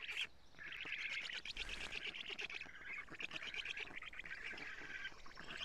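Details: Black stork nestlings at a nest in Estonia, 14 June 2017 at 07:47, as the adult female brings lampreys; dense chattering calls run almost continuously, with a brief low thump near the start.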